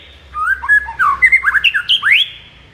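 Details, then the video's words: White-rumped shama singing in the morning, played as a training recording to stir up kept shamas: a quick run of rich, varied whistled notes ending in a bright upward sweep, with a faint low hum beneath. "MASTERAN MURAI BATU DI PAGI HARI AMPUH UNTUK NAIKKAN EMOSI MURAI BATU ANDA"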